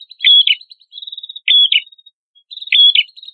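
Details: Red-headed prinia, as training material for songbirds: three bursts of high whistled notes with abrupt pitch drops, joined by thin, buzzy ticking runs, in a clean recording.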